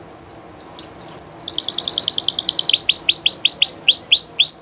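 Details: Llarguet Español canary, a well-known legendary Spanish breed, singing live: two sweet sliding whistles, then a rapid run of bright repeated notes, ending in a steady series of sharp down-slurred chirps about four per second over a quiet background.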